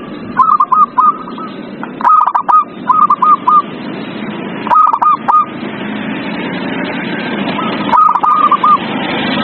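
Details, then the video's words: Zebra dove singing, used to coax a quiet bird. Short phrases of rapid, clipped cooing notes come every two to three seconds, while broad hissing noise grows louder toward the end. "Pancingan perkutut paling ampuh | perkutut males bunyi"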